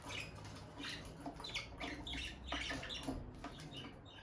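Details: Peach-faced lovebird couple, a bonded pair staying close by the nest box; scattered short high chirps repeat over a low background rumble.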